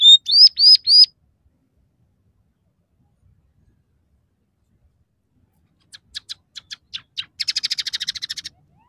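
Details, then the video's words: Lively scaly-breasted munia song, with fills of house sparrow, red siskin and canary: four quick high arched whistles, a pause, then sparse sharp clicks accelerating into a rapid buzzy chatter. "suara burung emprit peking gacor dengan tiga variasi lagu"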